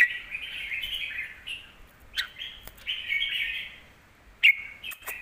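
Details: Caged red-whiskered bulbul song intended for teaching young birds; flowing warbled phrases broken by abrupt sharp clicks, with a loud accented note near the end.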